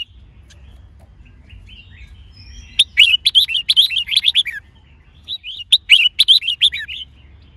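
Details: Red-whiskered bulbul trained to sing with a female prompting it; two lively bursts of rapid, warbling, up-and-down notes separated by a brief pause, with faint slurred whistles before and a low background hum.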